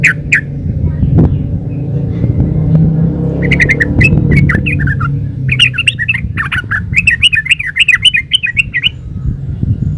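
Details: Yellow-vented bulbul in energetic 'ropel uplik' song: a single note, then stuttering phrases building into a fast run of warbled, rising-and-falling notes, against loud low rumbling background noise.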